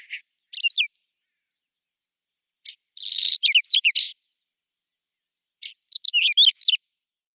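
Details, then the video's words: Spring song of a Whinchat, April 2020, on a Nikon Coolpix P1000: three short scratchy phrases about three seconds apart, mixing buzzy rattles and thin whistles, with silence between them. "Il canto degli uccelli del bosco: Stiaccino (Saxicola rubetra)"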